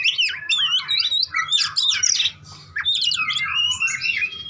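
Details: Oriental magpie-robin; fighting song; aggressive song used to provoke rival males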